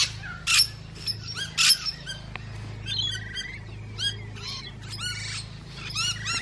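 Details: Musk lorikeets feeding: a busy chorus of shrill, high screeches and rapid chattering squeaks, some sharp bursts standing out, over a steady low hum.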